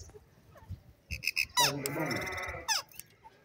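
A rose-ringed parakeet gives three quick clipped notes, then a long, harsh, quavering speech-like phrase and a final short squawk.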